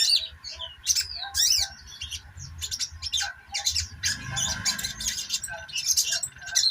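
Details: Rapid high twittering and scratchy squeaks from a sogok ontong sunbird, nearly unbroken, with a low rumbling thud near the middle and a steady hum plus faint low pulsing behind.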